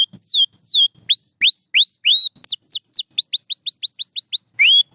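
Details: Canary with pure white plumage singing a chain of bright whistled notes, some falling and some rising, delivered in quick bursts with brief pauses and a run of short rapid upswept notes near the end.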